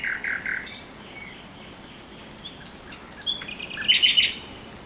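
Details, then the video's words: Thrush nightingale singing at night, 17 May 2023: scattered short chirps and whistles separated by a quiet gap, ending in a cluster of sharp high notes. "Śpiew słowika rdzawego nocą."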